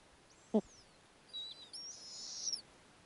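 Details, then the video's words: Snowy owl owlets at an Arctic nest on a warm summer night as the female returns with a lemming to feed her eight owlets of different ages; a single sharp knock, then thin, high squeaky calls drawn out over about a second. "Snowy owlets: mom is back!"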